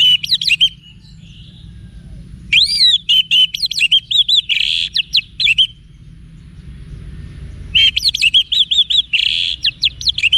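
Orange-headed thrush singing rich, varied phrases of sweeping whistles and fast rolling notes, delivered in bursts of a few seconds with short pauses between.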